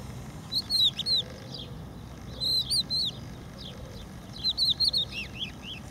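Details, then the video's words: Crested lark singing on a protected beach refuge at Empuriabrava, Spain: three bursts of clear whistled, slurred notes around the same high pitch, each burst about a second long, separated by short pauses, over a soft steady background hiss. "song of the crested lark - Gesang der Haubenlerche - Cogullada"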